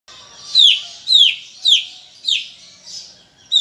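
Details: Greater green leafbird in lively 'gacor' chatter, giving loud downslurred whistled notes falling from high to mid pitch, repeated about twice a second, each with a faint higher overtone, over a quiet background.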